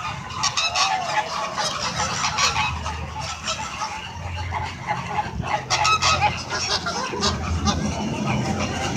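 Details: Flamingos in a flock hold a squawking conversation: continuous harsh, nasal honks overlap thickly, with louder bursts near the middle and toward the end.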